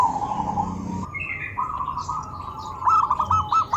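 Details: Zebra dove call used to get other doves to answer: a soft hum at first, then a run of rolling, slightly wavering coo notes growing louder toward the end.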